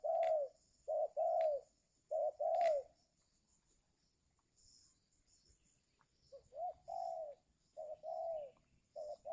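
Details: Decoy spotted dove calling while luring wild birds during the giring season; a run of short and long low coos, a few seconds' pause, then another run of softer coos with faint background hiss.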